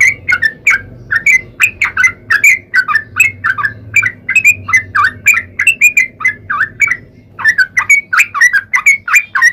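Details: Sooty-headed bulbul in lively 'ropel panjang' style, a long rapid song used as a lure to get other bulbuls singing. Short bubbly, fluty notes come in quick runs for the whole stretch, with a low hum underneath.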